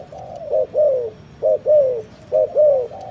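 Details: Spotted dove in full cooing: three phrases of a short double hoot followed by a long falling coo, evenly spaced about a second apart.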